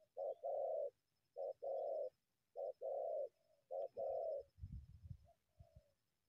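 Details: Wild spotted dove coming from bushes to attack a decoy bird; four two-part coos, a short note then a longer rolling one, followed by low rustling and thumping noises.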